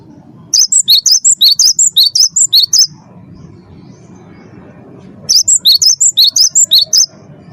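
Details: Caged cinereous tit singing, used as a lure for captive birds: two fast runs of bright, high two-pitch whistles, each lasting over two seconds, with a quiet gap of faint background noise between them.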